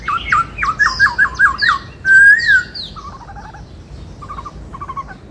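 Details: White-cheeked laughingthrush, kept as a songbird, sings the 'bắt cô trói cột' style: a rapid run of six or seven rising whistled notes, then a long loud wavering whistle, then softer quavering notes, with high chirps from other birds behind.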